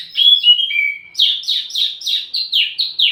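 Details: Wambi mini song used as a lure and tutor recording for flowerpeckers: thin whistled notes sliding downward, then a run of about eight quick downslurred chirps, roughly four per second.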